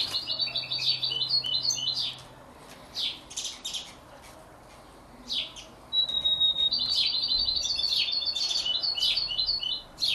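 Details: Canary and European goldfinch hybrid chick, 33 days old: quiet, fast twittering runs of high chirps, one run lasting about two seconds and a longer one starting with a thin steady whistle, with a few single notes between.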